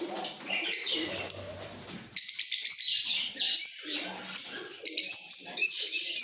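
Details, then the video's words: Lovebird chirps begin as scattered squeaky notes over low background noise, then break into loud, shrill twittering bursts of rapid tweets, repeated about four times a second. "Lovebird Singing & Chirping Sounds|লাভবার্ডের কিচিরমিচির শব্দ|love bird sound"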